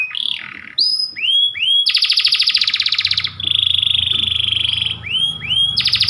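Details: Panda canary, a white canary, giving a long, insistent training song. Rising whistled swoops alternate with fast rattling trills and a sustained flat trill, with a low hum underneath.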